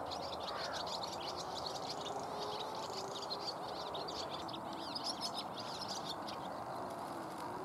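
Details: Numerous common house martins circling a pond and occasionally alighting in a tree; rapid bright chirps and twitters run throughout, thinning slightly toward the end, with a continuous broadband hiss beneath.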